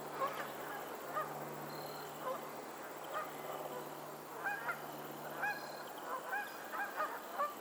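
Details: On a lake in Pennsylvania, geese call again and again: short honks start sparse, then quicken into a busy run of overlapping calls toward the end, with a steady low hum beneath.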